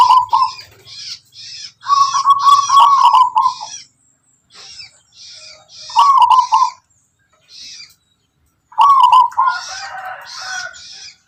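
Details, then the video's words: Local wild zebra dove, Tuban tangguh type with a distinctive rhythmic song, uttering several bursts of trilled, warbling coos separated by pauses, accompanied by crisp high ticking and rustling noises. "Suara perkutut lokal alam tangguh tuban"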